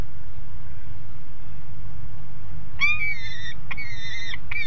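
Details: Juvenile peregrine falcon calling loudly from the nest grate in Alphen aan de Rijn on 30 July 2016 at midday; after a quiet start, drawn-out rasping wails break in, three in quick succession, above steady low hum.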